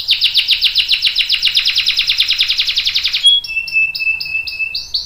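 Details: Canary in full voice with a long roll, used to prompt and tutor juvenile and adult canaries: a rapid pulsing trill lasting three seconds, then a clear steady whistle and a few spaced chirps.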